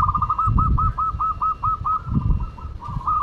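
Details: Madura local zebra dove singing actively: a rapid, even run of short cooing pulses, about a dozen, evenly spaced and slightly rising in tone, against low rumbling background noise.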